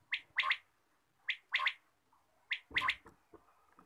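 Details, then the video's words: Morning quail call, a sharp three-syllable phrase of bright, slightly buzzy notes given three times at roughly one-second intervals, followed by faint scattered knocks in a small quiet space. "batair ki awaz, Bater Voice, Bater Sound, batair ki awaz subha"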